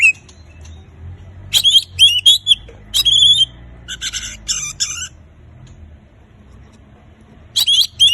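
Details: Oriental magpie-robin giving 'gacor' song to set silent birds singing: whistled slurs and rasping bursts in two clusters, a long quiet gap, then a final whistled phrase.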